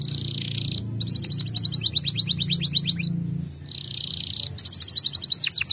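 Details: Male canary song, used as a lure to raise breeding desire in young canaries: a steady high note becomes rapid repeated chirps, about three per second, pauses, then resumes. A low hum runs underneath.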